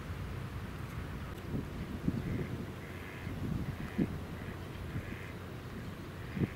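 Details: An Eastern spot-billed duck on Miyajima (Itsukushima), Hiroshima, Japan, on May 20, 2018, gives a run of harsh, rasping quacks, several a second, over a steady low rumble of wind or distant traffic.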